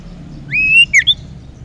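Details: Young wild common iora used as a lure, singing one long rising whistle followed by two quick sharp upslurred notes.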